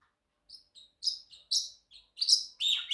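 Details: A pet Pacific parrotlet chatters in short, high, buzzy chirps, about two a second, growing louder and harsher toward the end.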